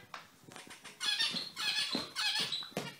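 Zebra finches give short, nasal, trumpet-like beeps in quick overlapping bursts, several calls within a few seconds, in a small indoor space.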